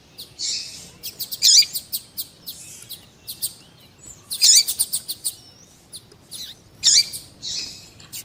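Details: Double-collared seedeater ('coleiro tui tui') song with a female calling, played to stimulate a male to sing: bursts of buzzy high chirps and sharp rising notes roughly every three seconds, with short pauses between phrases.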